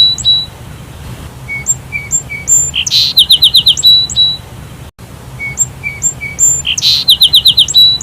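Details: Repeated sparrow calls: several thin, level whistled notes lead into a loud burst and a quick series of five bright chirps, the pattern heard twice with a brief dropout between.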